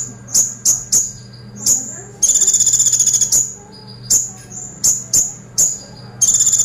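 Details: Brown-throated sunbird singing 'tembakan pelatuk' song: quick clusters of sharp, very high chips alternate with a fast, even, metallic rattle lasting about a second, ending on another rattle; low hum in the background.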